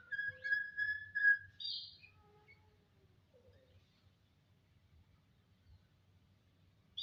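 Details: Jalak, a starling, sings a long level whistle followed by a brief harsher note and a few soft scattered notes, then near silence with a low background hum.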